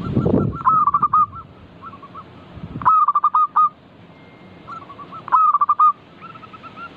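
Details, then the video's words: Local zebra dove in a lively, chatty singing mood, used as a lure to prompt other doves to answer and sing: bursts of rapid stuttering coos ending in a rolled note, repeated about every two and a half seconds, with low rumbling noise at the start. "Pancingan burung perkutut lokal gacor - 100% bikin cepat bunyi langsung nyaut manggung"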